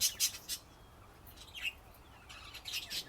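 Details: Budgerigars chirping: three bright, quick notes open, then a pause, a short rising twitter, and a final cluster of rapid high chirps.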